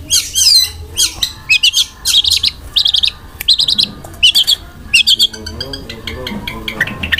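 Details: Long-tailed shrike in full, lively song with rough fill notes and rapid rolled bursts: loud, high chattering phrases in quick succession, some sliding and trilled, separated by short pauses, with a faint low hum beneath.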